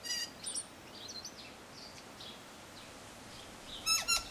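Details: Tui singing from a cabbage tree, opening and closing with harsh, rattling stacked notes, with thin, sliding whistles and soft chirps between them against quiet background hiss.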